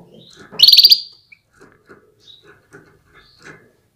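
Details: A female canary gives one loud, bright, slightly trilled high chirp to urge males into full song and breeding readiness, followed by several faint soft ticks and rustles.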